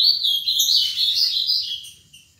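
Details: Seven-year-old ultramarine grosbeak in Paraná-style song: a flowing two-second string of bright, wavering whistled notes, fading at the end, with a soft low rumble underneath.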